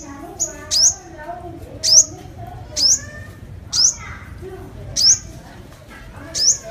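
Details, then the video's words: Sunbird lure call: seven sharp, very high chips, each a quick downslurred flick, spaced roughly one second apart, over faint lower murmuring and background hiss. "Tiếng hút mật 5 màu mồi, file tiếng hút mật 5 màu- Sunbird sound"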